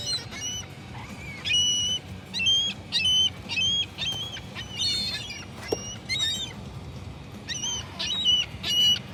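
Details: Gulls calling in a sequence of short, harsh, nasal notes. Several birds overlap, giving irregular bursts and bright yelping cries with a faint low rumble beneath.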